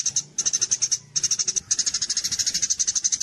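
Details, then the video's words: Contest-training recording of a gereja cililin kapas tembak sparrow: bursts of rapid, piercing high chirps, the last run long and unbroken. "masteran komplit untuk burung lomba gereja_cililin _kapsa tembak suara asli dan jernih# berjeda"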